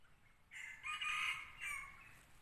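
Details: Red junglefowl used as a newly tried decoy bird to lure wild junglefowl. It gives one loud, harsh, rasping crow after a short pause. The crow rises into a strong middle part, then ends in a shorter drawn-out tail, over a quiet background.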